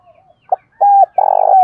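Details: Spotted dove decoy calling to incite fighting, thổ bầu voice style: a faint coo, a brief note, then a loud rounded coo and a long buzzy, pulsing coo that slides downward at the end.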